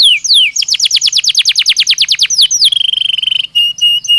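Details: Belgian canary sings falling whistles that break into a fast trill, then a level sustained whistle and brief separate tones.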